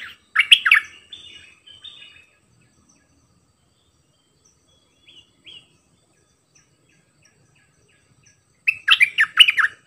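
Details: Bulbul decoy bird singing in doubled style: an opening burst of bright jumbled whistles, scattered soft notes during a long lull, then another lively warbling phrase near the end.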